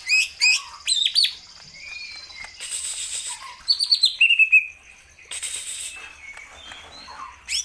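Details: Greater green leafbird in lively full song: a varied medley of high clear whistles, sliding notes and quick chattering runs, with brief hissy bursts between phrases.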